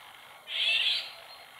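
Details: Female Eurasian golden oriole calling in the wild near a pond: a single harsh, rasping, cat-like screech lasting about half a second, with faint steady hiss in the background.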